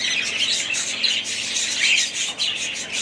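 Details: A group of budgies makes a steady stream of busy twittering. Rapid chirps, buzzy warbles and short whistled slides overlap without pause.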